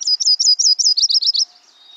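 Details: Yellow-rumped Warbler song played in a warbler song ID quiz: a quick, loose trill of about twelve high slurred notes in 1.5 seconds, dropping slightly in pitch for the last few notes, then quiet.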